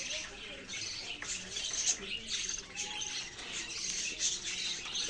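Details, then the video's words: Steady high-pitched warbling chatter from budgerigars, a dense mix of twitters and short chirps with little pause throughout. "parrot sounds and chirping sounds"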